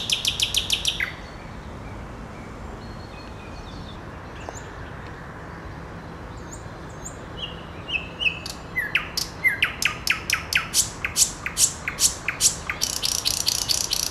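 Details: Nightingale: a rapid clicking trill at first, a long pause with faint soft notes, then an accelerating series of loud, sharp repeated notes ending in a dense rattling burst.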